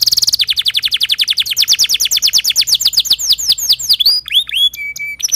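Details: Timbrado canary song: a long rapid series of sharp descending notes that slowly slow down into separate looping whistles, ending on a flat steady tone.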